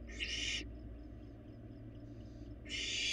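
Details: Barn owl fledgling in an empty nest box, eating, recorded by a live nest camera in Florida: two harsh, hissing broadband screeches about half a second long, one at the start and one at the end, over steady low electrical hum.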